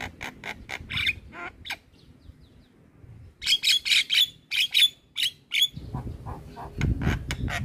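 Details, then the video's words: Javan myna, caged, singing a chattering master song: a burst of harsh notes, a pause, then a fast series of loud scratchy chirps with whistled accents, and low rumbling noise near the end. "Ocehan Jalak Kebo Gacor"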